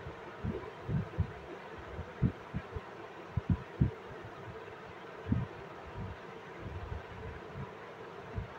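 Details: Low, dull thumps and bumps come irregularly over a faint background hiss, like handling noise near the microphone; no calls or other animal voices.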